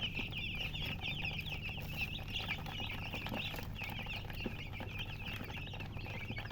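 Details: Loud chirps of newly hatched chickens: shrill, rapidly repeated peeps from many chicks at once, fairly continuous, with a persistent low hum and faint clicks.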